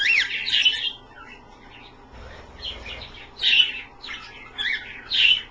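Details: Australian pet birds bathing in a shallow dish of slightly cool water; short bursts of high chirping twitter, with quieter pauses between.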